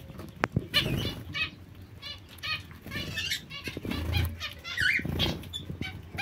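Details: Zebra finches (Taeniopygia guttata) give short, nasal, toy-trumpet calls, several per second in uneven bursts, over low rustling and wing-flutter noise.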